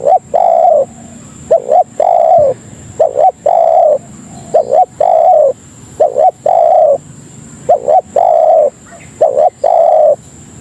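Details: Tekukur (spotted dove) lure call to attract other doves, a long run of mellow coos: short twin notes each followed by a longer held coo, repeated roughly forty times a minute at steady volume.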